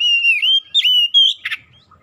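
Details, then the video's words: Oriental magpie-robin song meant to spur other magpie-robins into singing: a long sustained whistle followed by slurred rising whistled notes and a brief rasping burst. "SEKALI DENGAR SEGALA KACER LANGSUNG GACOR"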